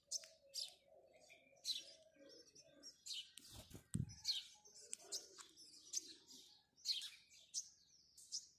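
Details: Morning chirping of house sparrows: bright, clipped chirps repeated in uneven bursts, with a brief low thump near the middle and soft background murmur.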